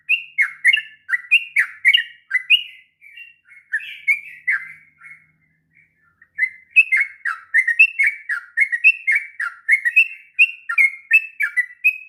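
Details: A sooty-headed bulbul sings the long ngropel song used to master young birds: fast chains of chirpy whistled phrases, a brief pause near the middle, then a dense, busy run resumes.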